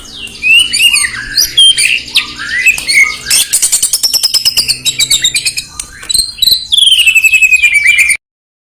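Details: White-rumped shama (murai batu) song, used to provoke emotion in rival birds: loud, varied whistled phrases with sweeping notes, a rapid run of sharp repeated clicking notes midway, then a long, slowly descending trilled whistle before an abrupt stop.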